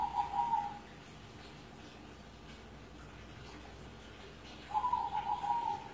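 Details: Caged zebra dove over seven years old, kept at a house in Kudus: a bubbly, pulsing coo phrase about a second long opens, then quiet hum, then another stuttering coo phrase returns near the end.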